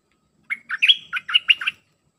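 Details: Red-whiskered bulbul singing a dense song of pure 'sap dok' phrases, used to train hand-raised young birds: one quick phrase of about seven bright, warbled whistled notes lasting just over a second, then quiet.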